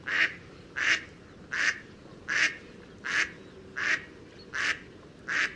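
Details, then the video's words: Eight evenly spaced, loud, buzzy Mallard quacks, one roughly every three-quarters of a second, against a quiet background. "Mallard Duck | Chirping Singing Birds"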